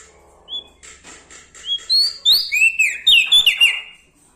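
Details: Bar-winged prinia from Lombok in lively full song, loud and clear: a few faint dry ticks, then bright slurred whistles sweeping up and down, quickening into a tumbling burst of high, ringing notes.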